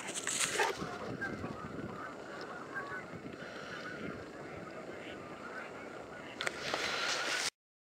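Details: Thousands of Canada geese gathered along the Salmon River near Truro on a March day, a dense chorus of overlapping honks filling the air, with a louder burst of calling near the start and again toward the end.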